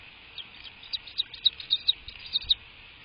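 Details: American bald eagle at its nest, recorded by a live nest camera on 22 March 2024 at 07:53 in the morning; a quick series of about nine thin, high, piping chirps over two seconds against a quiet background.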